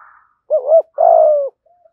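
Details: Decoy spotted dove of 'thổ' voice style calling wild birds: a rounded two-part coo followed by a long, even, slightly descending coo and a faint tail note.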